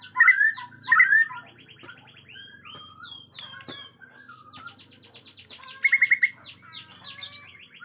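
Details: Agitated Bornean white-rumped shama in natural forest, singing loud slurred whistles at the start, then varied thin phrases and soft buzzy trills, ending with a quick bright trill of about five notes.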